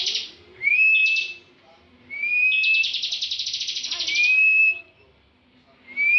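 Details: A caged bar-winged prinia that often wins national contests sings full ngebren. Rising whistles lead into a long, fast, rattling buzzy trill, with quiet gaps between phrases.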